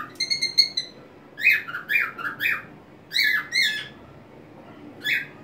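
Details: Pet white-faced cockatiel singing happily on its homemade swing, rocking back and forth with wings spread; a quick run of short whistled notes, then louder slurred falling whistles in clustered groups, indoors.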